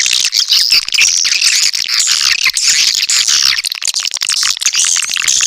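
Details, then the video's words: Lure call of swiftlets: crowded, overlapping high chirps and squeaky twitters forming a constant shrill wash, with short clicking notes running through it. "suara pangil walet terbaru!"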